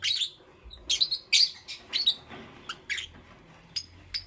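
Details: Morning calls from lovebirds in green, yellow and lutino colours: clusters of shrill, grating chirps early on, thinning out into sparse single sharp squeaks separated by quiet gaps.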